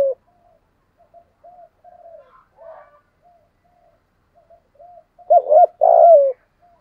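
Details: Spotted dove, 'giọng thổ' style, in a full 'thúc gù' sequence aimed at drawing wild doves to fight: a run of quiet short soft coos and murmurs, ending in a loud looped coo and long descending coo.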